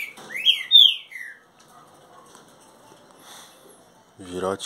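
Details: A captive young Green-winged Saltator, about 30 days old, which began singing softly at 11 days and now sings loudly, gives a brief, loud phrase of rich, sliding whistles in about a second in a flight cage; a man's voice follows after a pause.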